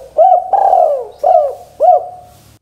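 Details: Spotted dove calling eagerly to draw answers from other doves: a hooked coo, then a long drawn coo gliding down, then two shorter hooked coos, deep and mellow, with a slight hum beneath.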